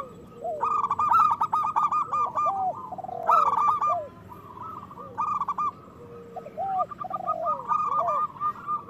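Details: Loud local zebra doves singing to spur other doves to sing and breed: repeated bouts of fast, staccato cooing a few seconds apart, with lower gliding and arched notes between them.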